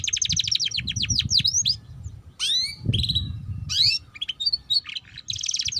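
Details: Ngeriwik-style canary song to prompt juvenile canaries to sing: fast rattling trill and swooping notes, a short pause, then steep whistled sweeps, scattered chips and a final buzzy trill, faint rumble below.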